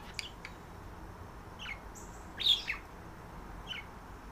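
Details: Two pet budgerigars, a visiting female and a male, calling to each other as they are put up for the night and flirting; a few scattered high chirps, one louder sharp chirp midway, over faint indoor hiss.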